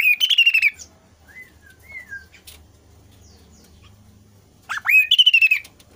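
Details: Kasu kasu bird singing freely, meant to stir reluctant kasu kasu birds to answer: loud rapid stuttering bursts of bright notes open and close, with soft slurred whistles between them.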